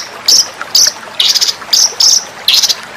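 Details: Master training recording of white-rumped shama song for contest birds: six bright, high, slightly buzzy notes in loose clusters, spaced roughly half a second apart, over a quiet background.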